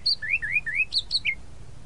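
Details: Tropical mockingbird (sabiá-da-praia) giving a brisk phrase of three repeated upslurred whistles followed by higher sharp notes and a final downslur, all within two seconds.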